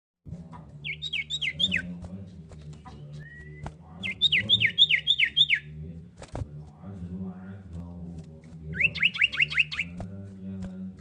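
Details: Common iora, a female calling the male: three bursts of five or six quick, sharp, downward-slurred whistled notes, each burst about a second long and spaced a few seconds apart, over a steady low hum.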